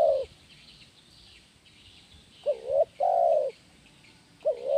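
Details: Low cooing of a spotted dove in the "kuk 1" gacor style, used as training sound for caged doves. The end of one phrase, then a full phrase of two brief notes and a long held coo, and the start of another.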